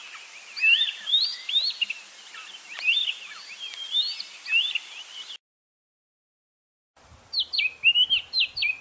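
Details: White-browed scrub robin repeating the same phrase over and over: slurred whistles in a steady run, then after a silent break a crisper burst of rapid stuttering notes.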